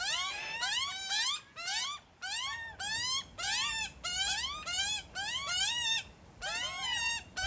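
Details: Two hungry baby magpies tucked away in a tree, crying for food while their parents feed them: loud harmonic wails rising sharply in pitch, delivered in rapid bursts with brief silent gaps between.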